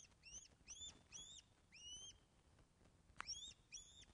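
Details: Ospreys calling during a fish delivery at the Loch of the Lowes nest, Scotland, webcam, 24 August 2012, 14:10; a string of piercing upslurred whistles in twos and threes, with a short knock near the end.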